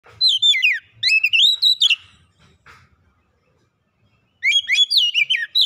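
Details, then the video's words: Oriental magpie-robin (kacer) lure song, used to stir a reluctant bird into singing: loud whistled phrases sweeping down with bright harmonics, two bursts near the start, a pause of silence, then a final rich warbled run. "kicauan Kacer pemikat | Kacer malas bunyi terpikat langsung gacor"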